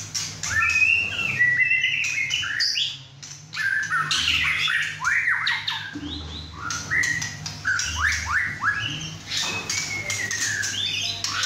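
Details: Young male White-rumped shama kept at home, six and a half months old, in full song among other caged birds. Dense bursts of loud upswept whistles, harsh squawks and clicking notes come in quick runs with short pauses, over a low background hum.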